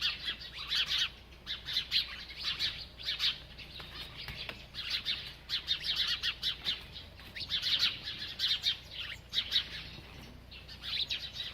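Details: A bird feeds and keeps chirping, giving clustered runs of sharp high tweets that come in irregular bursts of one to two seconds, with brief quieter gaps between them.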